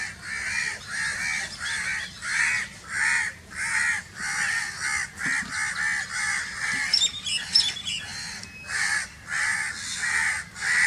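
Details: Crows caw loudly in a continuous string of harsh calls, while a few thin high chirps from another bird break in near the middle.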